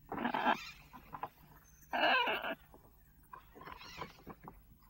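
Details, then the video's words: Pet lorikeet indoors in a home kitchen, recorded by a housesitter: three harsh, raspy screeches about half a second each, spaced over five seconds, with faint softer chatter between them. "Parrot Sounds For Birds"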